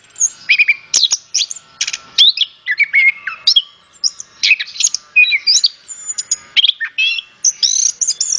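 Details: Varied, continuous orange-headed thrush song played as a lure to get other birds singing, built of quick whistled phrases, sharp high chirps and downward slurs in dense bursts, with a faint steady tone behind.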